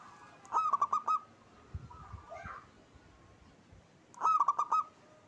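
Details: Lively local zebra dove singing the native song type. Two clipped phrases of five rapid, rolling coo notes sit at each end, with a few soft low thumps and a brief faint sound in the gap.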